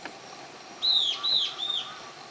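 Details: A territorial Euler's Flycatcher in Amazon foothills at Mishquiyacu, Moyobamba, Peru, gives three high, slightly burry whistled notes in quick succession, each sliding a little downward, over faint rural background noise.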